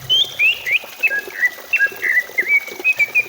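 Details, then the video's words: Greater green leafbird song for encouraging a kept bird to sing: a quick series of clear downward-slurred whistles and short chips, about three notes per second, fairly even in pitch. "Pancingan cucak ijo supaya cepat bunyi"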